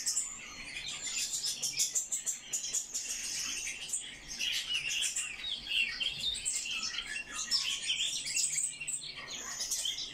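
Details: Eurasian blackcap, a kept bird, singing a fast, dense warble of high twittering and chirping notes, varied and nearly continuous with brief pauses, over a quiet background.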